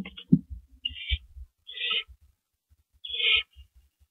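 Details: Owls at the nest during a rabbit prey delivery at 2:52 AM on April 15, 2012, giving three harsh, breathy hissing screeches about a second apart, with soft thumps and scuffling between them.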